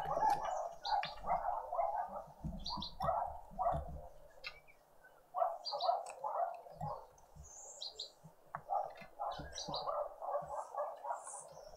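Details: Green woodhoopoe family breakfast on a spring Sunday morning in a suburban garden in Pretoria, South Africa. Waves of harsh, rapid cackling rise and ease over the clip, with a quieter stretch midway and high thin calls from other birds.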